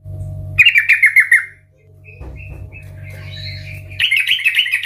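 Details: Sooty-headed bulbul, loud 'gacor ngeplong' singing: a burst of fast bubbly whistles, a quiet stretch with faint distant notes, then another rippling phrase; steady low hum present.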